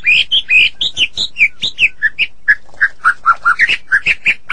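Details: In morning song, a white-rumped shama delivers a rapid regular series of rich chirping notes, each short and slurred, stepping gradually lower then rising again.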